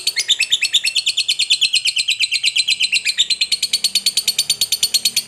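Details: Long chattering trill of a lovebird, a lure song meant to get other lovebirds singing; fast, regular, high scratchy notes repeated around three times a second, the pitch dipping slightly midway then rising again.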